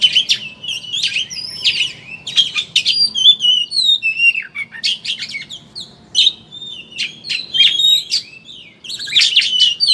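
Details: Kacer, oriental magpie-robin, chattering ngeriwik song played as a lure to make birds sing: a long, varied stream of rapid whistles, slurs and harsh chatters with short gaps, about four notes per second.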